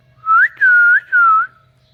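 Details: Pet ring-necked parakeet outdoors gives three clear, pure whistled notes in quick succession. The first rises, and the next two dip then rise again. Each lasts about a third of a second, against quiet surroundings.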